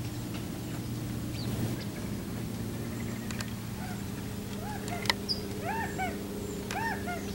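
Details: A quail in the San Fernando Valley, California, on 4 August 2024 gives a run of short, arched, chirping notes, quick near the end, said to signal the coast is clear to come drink; steady low hum.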